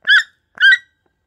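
A toucan gives two harsh, nasal croaks about half a second apart, each rough and honking with a slight rise and fall. No other sounds are heard.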